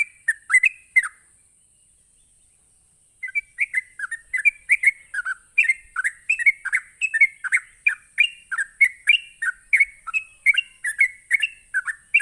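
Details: Rapid ropelan song of a sooty-headed bulbul, used to provoke rival bulbuls: a short opening burst, a two-second silence, then a long unbroken stream of bubbly chirps, several each second, over a constant thin high-pitched tone.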